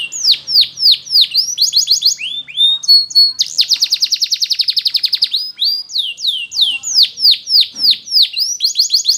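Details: Song of a Belgian canary meant for training canaries, with repeated curving downslurred whistles, short clipped phrases and a long fast pulsing trill in the middle, then more descending whistles.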